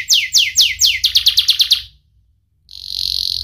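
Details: Canary song from a young, sharp-voiced bird, played to teach young canaries; quick down-slurred high notes, a faster run of short chips, a brief pause, then a steady high trill.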